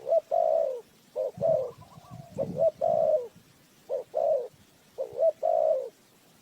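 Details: Spotted dove kept as a trapping lure, cooing steadily. Soft clipped introductory notes lead into a longer, rounded coo in each of five or so phrases, with a faint thin whistle and rustling in between.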